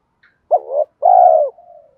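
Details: A spotted dove gives one 'thúc gù' lure phrase: a quick dipping note, then a drawn-out falling coo that trails off into a soft, low murmur.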